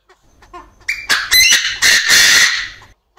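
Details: Crowing male Chinese francolin in an aviary, with a female clucking close by. Soft introductory notes give way to a loud, raucous series of harsh, grating syllables ending in a sustained rasping phrase.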